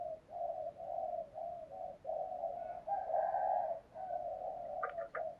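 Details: Spotted dove cooing as a lure for wild doves: near-continuous run of mellow, even coos over a hissing background, with brief higher chirps near the end.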